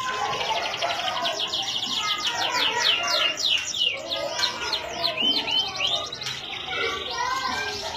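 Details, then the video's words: Singing canary from Indonesia: a long, continuous rapid trill of repeated descending whistled syllables, varying in speed and pitch across several phrases. "CANARY SINGING - serinus canarina"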